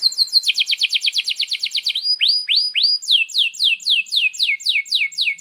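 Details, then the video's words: Canary singing energetically with long rolls, a tutor for young canaries: a rapid high trill, three rising whistled slurs, then a repeated series of falling chirps about four per second. "Kenari GACOR PANJANG INI Cocok untuk Masteran KENARI PAUD dan Kenari Macet BUNYI"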